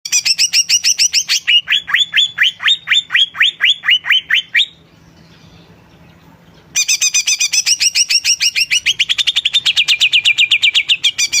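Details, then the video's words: Greater green leafbird singing vigorously: a fast run of loud, sharply down-slurred whistled notes, a two-second pause, then a quicker burst of high chattering notes settling into steady rapid repeats. "Cucak Ijo Gacor"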